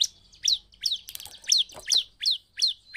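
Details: Bar-winged prinia song meant to provoke rival prinias: a steady series of bright, sharply inflected high chirps, about three each second, with a few soft clicks in the background.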